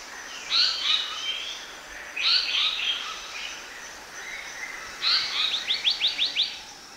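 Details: Black-naped monarch lure song: two harsh, slurred notes, then a quick run of about six bright rising whistles.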